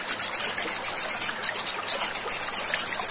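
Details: Little spiderhunter, locally sogon, singing on a lure track to coax birds into song: quick repeated high chips, roughly four a second, with one short break midway.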